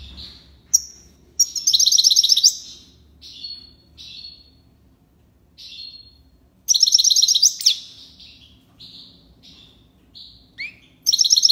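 European goldfinch singing a bright, liquid song: bursts of rapid buzzy twittering trills broken by short clear tinkling notes, high-pitched and lively, with quiet pauses between phrases.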